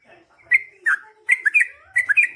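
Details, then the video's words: Yellow-vented bulbul (trucukan) singing a short 'gacor ropel panjang' passage: liquid, gurgling slurred notes, paired and rising and falling, in three quick groups over a faint soft background. "KICAU SUARA trucukan gacor GARUDA ROPEL PANJANG"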